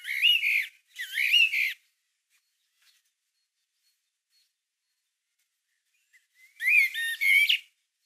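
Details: Common Blackbird (Turdus merula) singing in March 2020, recorded with a Canon PowerShot SX620 HS: two short fluty, warbling phrases close together, then a long silence before a third phrase ending in a thin twitter.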